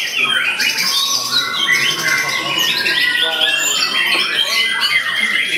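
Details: White-rumped shama performing its much-sought varied style: crisp whistled phrases, sharp rising notes and scratchy chatter in quick succession, with a steady thin whistle running beneath for several seconds.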